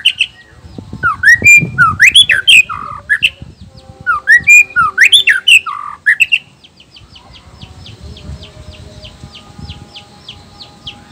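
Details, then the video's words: Male white-rumped shama, black-tailed Nias type, singing to provoke rival males. Loud varied phrases of swooping, slurred whistles and sharp notes, then a quieter run of rapid repeated ticks to the end. "suara alam khas murai batu blacktail,ekor hitam,nias..suara ini bisa bikin auto emosi murai lain.."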